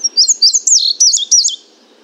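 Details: Indigo bunting (Passerina cyanea) song recorded from 50 feet away: a quick, high, sweet phrase of paired notes, each pair slurring up and down, lasting about a second and a half.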